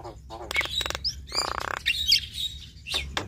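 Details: Brief part of a male and female Javan myna duet, with a buzzy rattling trill in the middle, bright high whistles and scattered clicks.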